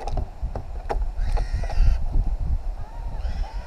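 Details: Free-flying wild New Caledonian crows, a family of three, working a log with tools for food: a short nasal harmonic call, then a fainter rising one, amid soft knocks and low rumble.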